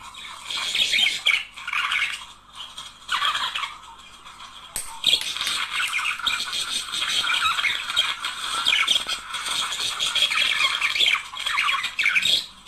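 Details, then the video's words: Two budgerigars, a couple, in song said to stimulate breeding: long, continuous chattering warble of scratchy squeaks, chirps and rapid clicks, rising and falling in loudness with a brief sharp click midway. "تحفيز# طائر البادجي على التغريد والغناء صوت يحفز البادجي على التزاوج"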